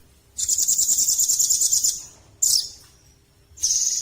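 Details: Velvet-fronted nuthatch, known locally as rambatan paruh merah, performing: a fast, very high, dry trill held for over a second, then a brief sharp burst and a thin high note before another high trill begins.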